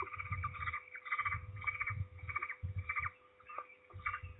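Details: Peregrine falcon at Trzebież on 16 May 2019 in mid-afternoon, returning to the nest loudly as always while another falcon slips away; harsh rapid cackling bursts repeated in quick series, with low thumping rumbles underneath.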